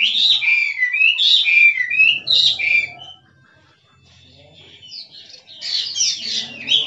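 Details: Wild hwamei (Chinese hwamei), 'kích trống' singing: bursts of rich, loud whistled phrases with upward and downward slurs, a short silent pause midway, then a fresh flurry of bright notes.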